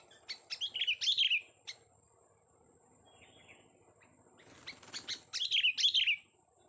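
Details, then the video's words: Young sooty-headed bulbul giving quick runs of bright, slurred chirps that rise and fall, in two clusters separated by a quiet gap, against faint low background noise and a steady high whine. "kutilang muda tes VOKAL kicau"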